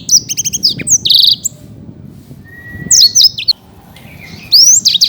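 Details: Song of a champion Black-throated canary, a caged songbird in Bekasi, in lively full song: bursts of high, rapid, varied whistles and sweeping chirps, broken by a brief pause and a thin steady tone.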